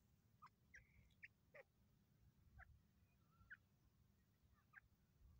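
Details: A partridge in grass gives short, sharp chirping notes at an uneven pace, roughly one or two a second, over a low steady rumble.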